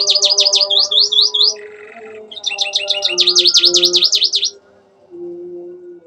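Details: Canary with mimicked ciblek and ciwah (klik-klik) phrases, suited as a master for training birds: quick repeated high sweeping notes in bursts, a buzzy middle note, then lower sustained tones as the song fades.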